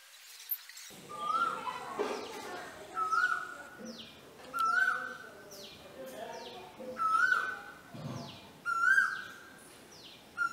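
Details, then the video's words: Male Asian koel at a home in Vidhya Nagar, Hassan, India, during the breeding season, answering a woman who calls back at it: a clear rising koo-Ooo whistle repeated about every two seconds, with her voice in between and faint background hum. "arguing with an Asian koel (male)"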